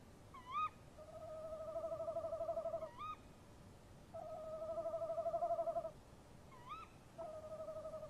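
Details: Tawny owls, male and female, call back and forth at a nest box at 03:07 in March. Rising sharp notes alternate with long, pulsing, wavering hoots about two seconds long, repeated three times in quick succession.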